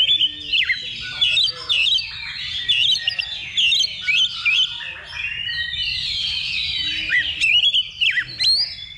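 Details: Oriental magpie-robins at a practice contest simulation before competing. Loud bursts of bright whistled notes and rapid chatter follow each other in quick succession, several singers overlapping.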